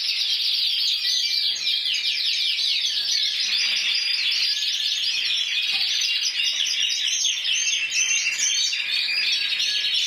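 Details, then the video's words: Spanish 2014 champion canary of intense yellow colour, judged individually at 94 points, pouring out quick repeated high notes, rolling trills and sweeping chirps continuously. "CANARIO AMARILLO INTENSO"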